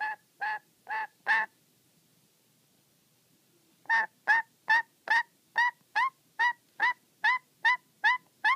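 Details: Agitated pet black-capped lory: four harsh squawks, a pause of over two seconds, then a fast, regular burst of about fourteen nasal, honking calls, more than two per second.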